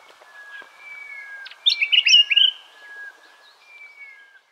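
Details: Yellow-plumed Honeyeater at Monarto Woodlands, Olearia Trail, South Australia, 14 August 2021, several out and vocal: a brief burst of loud, rich, warbled notes against thin steady whistles from other birds.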